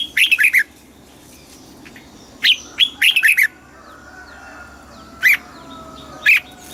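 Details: Caged red-whiskered bulbul singing a southern master-style phrase used to excite other cage birds: short clusters of sharp, bright chirping notes, a fast group of four near the start and another midway, then single spaced notes.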